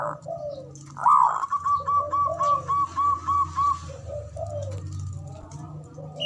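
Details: Male zebra dove call used as a lure to prompt silent birds to sing: a quick string of about ten short, clipped, even notes after a louder opening note, with softer cooing phrases and low hum beneath.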